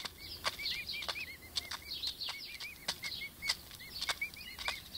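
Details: Five-week-old pet emu chicks peep continuously. The soft, arched whistles come in quick succession amid frequent crisp clicks and taps.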